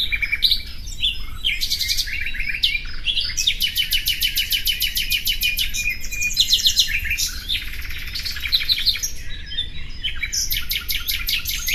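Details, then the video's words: Continuous common nightingale song of rapid stuttering trills, rattles and short whistled notes, overlapping phrases following one another with barely a break, steady low rumble underneath. "Bülbül sesi"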